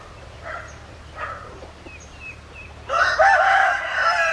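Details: Faint, short chirps from small birds come first. Then a rooster breaks in with a loud, harsh, sustained crow lasting over a second and trailing off slowly.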